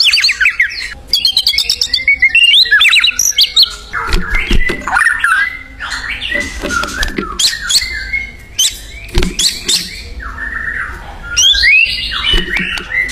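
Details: Wild white-rumped shama in vigorous song: bursts of high, fast trills and harsh, squawky notes mix with whistled phrases, separated by short pauses and occasional sharp knocks.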